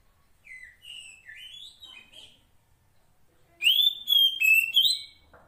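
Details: Kacer poci magpie-robin female in the wild, calling the male: quiet, thin rising and falling whistles at first, then a loud phrase of bright, drawn-out whistled notes mixed with scratchy overtones.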